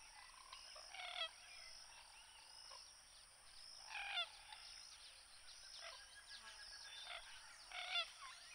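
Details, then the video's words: Three separate harsh, buzzy Common gallinule bursts about three to four seconds apart, each brief and rasping, with quiet chatter from other birds between them. "CANTO DA GALINHA D'ÁGUA (Gallinula galeata)"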